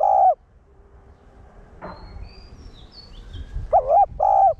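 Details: Spotted dove cooing in the one-tail-note style, played to provoke caged birds: a clipped mellow coo opens, then a quiet pause with a soft click, then a wavering coo followed by a steadier hollow coo.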